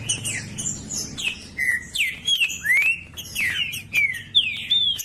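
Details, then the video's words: A trinca-ferro, or green-winged saltator, acting as a 'professor' tutor, sings to stimulate another bird. Its rich whistled notes rise and fall in quick, varied phrases, with short gaps between bursts. "TRINCA FERRO ( PROFESSOR ) PARA ESQUENTAR TRINCA FERRO COM TRINCA FERRO CANTANDO"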